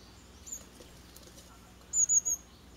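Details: Fledging Japanese tit young from a garden nest box, six chicks with a pair of parents; three loud, high, thin chirps in quick succession near the end after a faint single note, otherwise quiet.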